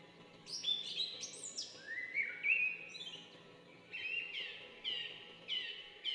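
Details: A bulbul giving a quiet, varied series of clear whistled and warbled phrases, some sliding downward and others rising, in bursts separated by short pauses, with faint background hiss.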